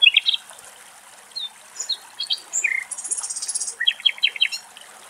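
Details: A common nightingale sings in Greek nature, with varied high phrases: clear whistles, a sweeping buzzy run, then a fast series of repeated chopped notes, over a soft background hiss.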